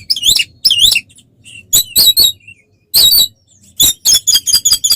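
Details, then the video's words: Oriental magpie-robin in fighting song to provoke others: two looping harsh phrases, scattered buzzy notes and faint whistles, then a rapid run of rasping bursts. "SUARA BURUNG kacer gacor NGEPLONG TARUNG konslet paling AMPUH buat PANCINGAN KACER agar EMOSI"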